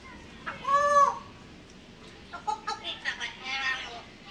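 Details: African grey parrot, talking and dancing while asking for food; a loud harmonic squawk-like call that bends up then down, followed by a string of short, choppy, speech-like syllables.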